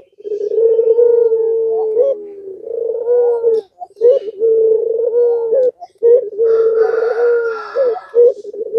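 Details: Puter pelung (Barbary dove) provocation call. Near-continuous low, steady cooing in long phrases with brief breaks, joined late by a rough, noisy background sound.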